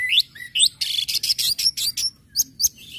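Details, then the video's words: Orange-headed thrush in 'ngecip ngecit ngeplong' style song, used to stir other birds into singing, with rising whistled slurs followed by a fast run of loud, harsh, buzzy high notes and sharp chips. "SUARA ANIS MERAH NGECIP NGECIT NGEPLONG PEMANCING BIRAHI AGAR IKUT BUNYI"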